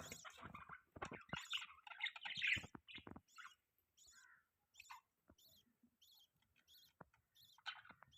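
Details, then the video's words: Chirping budgies give a lively burst of twittering, squeaky warbled notes for about three seconds, then trail off into sparse, faint clicks and short high chirps spaced through a quiet background. "Budgies Chirping Sounds | Budgie Bird chirping sound | Budgie beautiful voice"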